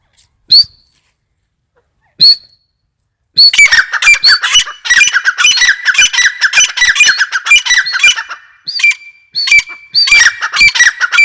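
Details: Grey francolin, known locally as teetar, giving loud harsh repeated squawking calls after two single opening notes, then a rapid continuous series of grating, rhythmic calls with sharp high notes.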